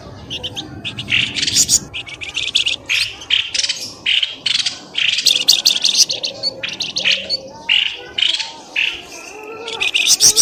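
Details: Birds called out of undergrowth with a lure recording: dense, continuous harsh chatter and scratchy chirps in rapid bursts, with some lower warbling notes beneath.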